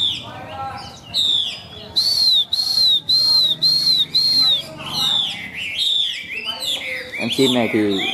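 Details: Chinese hwamei singing a lively, modulated song with rich trills: rapid varied phrases, then a run of five loud, evenly spaced whistled notes, followed by more twisting trills. Faint human voices sit underneath.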